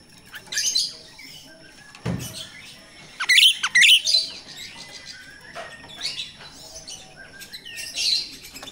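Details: Wild myna (jalak Rio-Rio) song used to lure captive birds: repeated harsh, chattering high phrases with whistled notes in between, plus a brief low thump early on.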